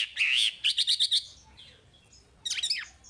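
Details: Song of a Chinese hwamei, played to coach young caged birds: a bright whistled trill, then five quick clipped notes, a pause, and a sharp descending burst at the end.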